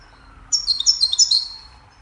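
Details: Goldfinch singing a cheerful melody meant to teach other songbirds: one quick, high, tinkling twittered phrase of about a second, rising and falling notes run closely together, against a quiet background.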